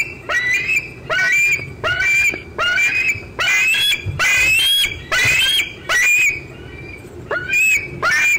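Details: Close, loud squeeing of a young bald eagle at 4:45 pm on June 25, 2013, keeping company with an adult eating a fish in an old tree; shrill whistled squeals that rise then fall, repeated about every 0.7 seconds.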